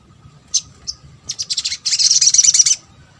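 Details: Calls of a little spiderhunter, used to draw replies from other birds: two thin high notes, then quickening sharp chips running into a fast, high trill lasting about a second.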